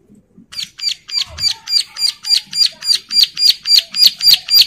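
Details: Female Bar-winged prinia in breeding condition calls to other females and gets answers; after a brief soft start, strong, regular high chips repeat roughly three to four per second, growing steadily louder.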